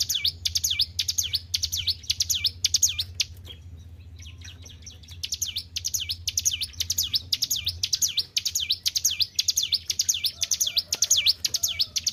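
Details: A kept hill prinia sings in rapid high, swooping notes at about two per second, goes quiet for roughly two seconds, then returns with an even longer run of the same V-shaped strokes. Low hum throughout.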